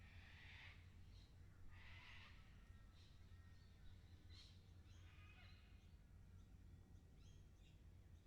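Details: Lorikeets in a 360-degree VR recording: harsh, broad screeches in bursts about a second apart early on, then thinner, higher chattering notes, over a steady low rumble of background noise.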